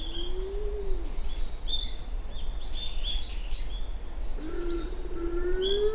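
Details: Japanese wood pigeon at Uwajima, Kaminoseki town, Japan, early morning on 29 January 2024: two long, low, hollow moaning coos, gently rising then falling, with thin high chirps and twitters from other small birds around them.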